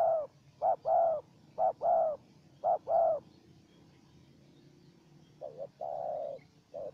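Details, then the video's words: Wild spotted dove calling against a decoy bird: three quick short-long coo pairs in succession, a pause of about two seconds, then another phrase ending in a long drawn coo. "Pikat dan Terkukur Liar Adu Suara"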